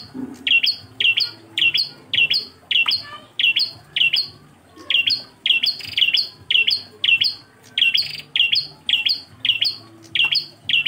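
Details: A bar-winged prinia, recorded as song-training material for cage birds in Indonesia, gives sharp, high chipping notes in quick, steady series, nearly two per second, with brief pauses between runs.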